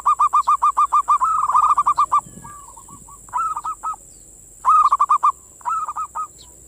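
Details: Zebra dove, locally perkutut, singing manggung as a breeding-mood lure for local perkutut. Loud, clear strings of rapid rolling coos come in bursts of five to ten notes separated by short pauses.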